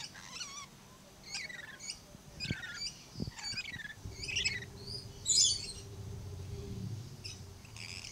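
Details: Blue-streaked lory (Eos reticulata) at Lion Country Safari, Florida, giving harsh, high screeching calls about once a second over a low background rumble.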